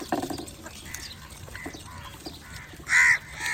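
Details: Crow calling to other crows: a harsh, grating caw at the start, then a louder, strained caw near the end, with faint twittering of small birds in the background.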